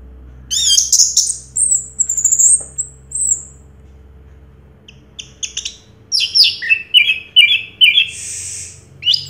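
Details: High whistles and scratchy chirps from a 2022 champion Orange-headed thrush, a pause, then a busy run of alternating squeaky notes and buzzes, with a faint low hum behind.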